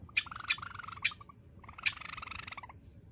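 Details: Pet Java sparrow kept indoors, during a hide-and-seek game with its owner: two bursts of rapid chattering chirps, each opened by a loud sharp note, with soft tapping beneath and quiet between.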